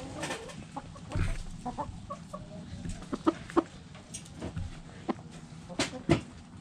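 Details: Hens in a backyard flock clucking: scattered soft clucks and brief squawks at uneven intervals, a few louder sharp notes near the end, over a low rumbling background.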